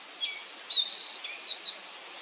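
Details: Black-faced bunting at Yashima marshland in Nagano's Kirigamine highland, Japan, where two birds were carrying bugs. A bright, high song phrase of short sweeps and a buzzy middle note. A brief trill of high notes closes the phrase.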